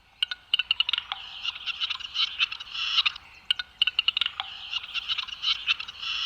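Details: A male capercaillie's courtship display to hens on the forest mating arena in Serbia, after singing high in a tree: sharp dry clicks in loose bursts over a high, hissing, scraping rasp that swells and fades twice.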